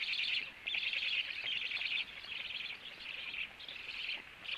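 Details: Black stork nest scene with the male returning home and feeding, then flying onto the upper branch; rasping, wheezy high bursts repeated irregularly, some long and some clipped, with steady low background hiss.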